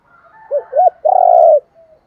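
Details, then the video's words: Decoy spotted dove calling to lure and train other doves: two short rounded coos followed by a longer, rough, throbbing coo held for about half a second. Faint higher chirps appear in the background. "tieng chim cu moi thuc gay goi cu moi gay/ chim cu mồi dùng luyện mồi và bỏi rất hiệu quả"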